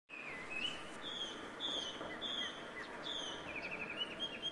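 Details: Chinese hwamei in Ito, Japan, on 12 February 2023, giving the first birdsong heard that year; a faint, distant series of short clear whistled notes repeats over steady background hiss.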